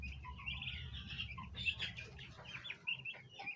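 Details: A small group of domestic bronze turkey poults, gathered around a basin of ornamental plants trying to eat it, give high, thin, overlapping, uneven peeping chirps, several a second, over a low background rumble.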